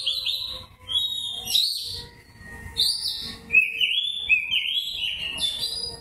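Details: Oriental magpie-robin, white-breasted form, in narung fighting-style song, ngobra style: rapid bursts of bright whistles, buzzy high notes and rising slurs, varied phrases about every second, with faint low background hum.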